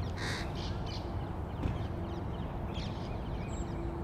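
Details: Crow calling while feeding young in 2022: one loud, rasping caw at the start, then two shorter, fainter harsh notes, followed by quieter calls under constant low-pitched background noise.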